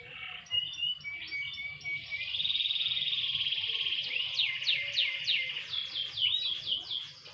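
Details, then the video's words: Canary out in gentle sun sings a varied song: clipped whistled notes, a sustained buzzy rolling trill, then loud sweeping slurred notes repeated in a quick series. "burung kenari jemur tipis tipis"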